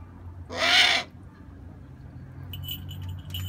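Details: Eurasian eagle-owl gives one rasping, hissing screech of about half a second, broad and harsh with a faint downward curve. Faint tinkling sounds follow, over a low background hum.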